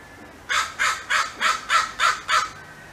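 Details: A crow calls other crows for help with a territorial alert, giving a steady series of seven loud, raspy caws at roughly three per second in clean surroundings.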